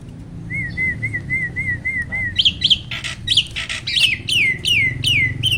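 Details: Black-winged starling song used as a training recording to prompt caged starlings that rarely sing: a run of short, even whistles at one steady pitch, then louder, sharp, falling whistled notes about twice a second over a low hum.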